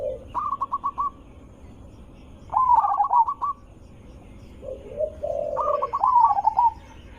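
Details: Zebra dove singing, a loud melodious recording meant to lure other zebra doves into replying; three phrases, each a rapid stuttering series of clipped coos, the last led in by a lower drawn note.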